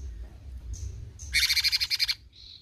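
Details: Bulbul known locally as cucak cungkok, singing actively in besetan style: after faint high whistles comes a loud, rapid, rattling burst of about a dozen harsh pulsed notes lasting under a second.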